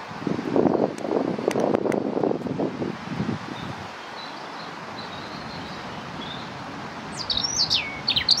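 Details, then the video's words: Close-up European robin singing a short burst of thin, high, varied warbling notes near the end, after several seconds of loud rustling and a quiet stretch. "Close-up of a European Robin singing"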